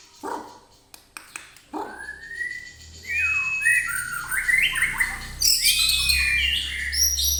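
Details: White-rumped shama in an agitated mood, its song used to provoke other birds: a few short notes, then long clear whistles and a rapid run of varied, high, sliding phrases, with a low hum behind.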